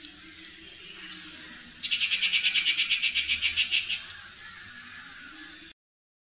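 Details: A Rufous Treepie in India gives a harsh, grating rattle of about fifteen rapid notes lasting two seconds, over a steady high-pitched insect hiss.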